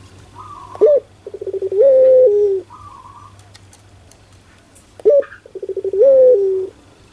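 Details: Pelung turtle dove cooing in a small room: a sharp rising hoot, a stuttering run of pulsed notes and a long level coo, given twice, with a higher wavering note and faint clicks between.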